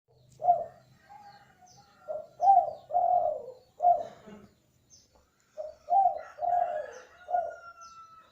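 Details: Spotted dove, a lively calling bird used as a lure to make other doves start calling, giving a series of soft, low, hollow coos, several rapid notes followed by longer drawn coos, repeated in phrases with brief pauses.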